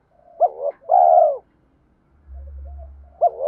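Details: Spotted dove call aimed at stimulating untrained birds to coo. One phrase has a short hooted note and then a long wavering descending coo. A low hum follows before the next phrase begins.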